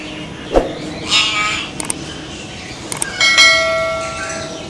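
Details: Common hill myna from India, a mountain bird: a sharp click, brief bell-like harmonic notes, then a run of clear, sustained whistled tones near the end against a steady background hiss.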